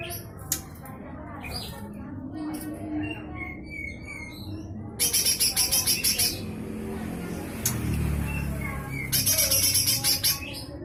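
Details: A lesser green leafbird sings its full harsh 'besetan kasar' song, offered as tutoring for magpie-robins and shamas: scattered quiet chirps and whistles, then three loud buzzy rattling bursts of rapid pulses over a low background hum.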